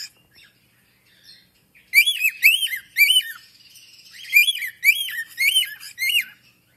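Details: Captive African grey parrot whistling a series of bright, swooping notes that rise and drop sharply, grouped in two runs of three and four, with a quiet gap between runs.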